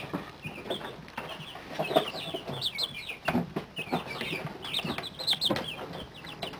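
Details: Thirty-day-old chicks of mixed breeds (New Hampshire Reds, Buff Orpingtons, Buff Rocks, Barred Rocks, Partridge Rocks) playing in an indoor brooder during their first molt: many high, short, downward-sliding peeps overlapping continuously, with scratching and pattering on litter.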